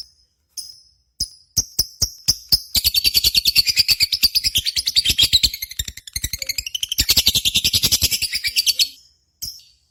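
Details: Lovebird contest lure recording: scattered sharp high chips build into a long rapid chattering trill of buzzy, ringing notes pulsing many times a second, pausing briefly near six seconds, then resuming before a final short chip.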